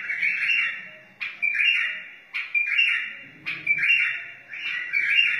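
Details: White-eared bulbul, wild, repeating a short fluty, gurgled phrase about five times, each starting with a crisp click-like onset and spaced about a second apart. The song helps chicks learn and encourages other bulbuls.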